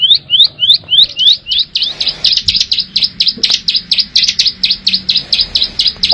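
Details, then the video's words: Plain prinia (ciblek sawah) from the wild giving loud, clear ngebren song: several upslurred whistled notes, then a fast, dense run of sharp high chips repeated about three times per second. "Suara Ciblek Sawah Ngebren Asli Alam – Jernih & Keras Bikin Burung Lain Ikut Bunyi"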